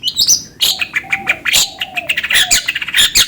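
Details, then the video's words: Lure song of a long-tailed shrike meant to get another bird singing: dense, jumbled, scratchy chatter with quick high notes tumbling over each other, plus a soft lower tone drifting underneath. "PANCINGAN CENDET AGAR CEPAT gacor"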